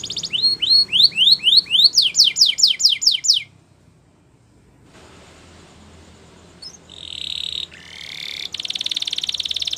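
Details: Belgian canary singing in the morning: a fast series of about a dozen rising whistled sweeps, a pause, then a long even trill and buzzy rolling notes, with a low hum underneath.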